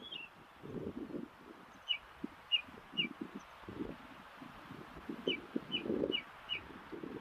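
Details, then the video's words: Ring ouzel calling in the Durham dales, giving short, hard clicking notes, singly and in quick runs of three or four, over a steady low rumble of wind. "Ring Ouzel calling"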